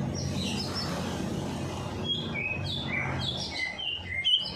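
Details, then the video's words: Bird song played to prompt a lazy bird to sing after a night bath; scattered thin whistled notes, some falling, over a rumbling background noise. "Perangsang Burung Malas Bunyi || Habis Mandi Malam Langsung Cor Dor"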